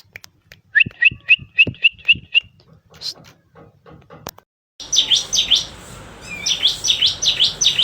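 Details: Seven quick bright chirps from a bar-winged prinia come first. Then a dense, noisy chorus of other high buzzy calls takes over over a hissing background.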